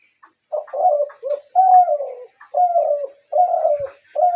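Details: Spotted dove cooing repeatedly, a series of low hollow phrases, each a short note or two followed by a longer, slightly falling coo, about one phrase per second, loud and close.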